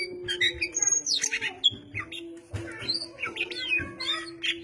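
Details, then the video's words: Oriental magpie-robin (kacer) in lively song, a dense run of quick chirps, sweeping whistles and short trills with brief gaps, over a constant low background hum. "Burung Goci / kacer Gacor corrr...."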